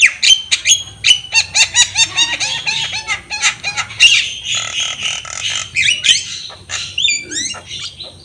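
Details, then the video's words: Javan myna in full song, nodding as it sings, for tutoring young birds: a rapid series of sharp ticking notes with a wavering lower warble, then harsh grating bursts and upslurred whistles. "Masteran jalak kebo gacor full manggut-manggut masteran burung jalak kebo bahan."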